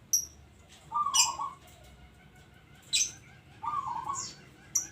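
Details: Two bubbling, tremulous coo phrases from a local zebra dove, separated by sharp high-pitched chirps and clicks.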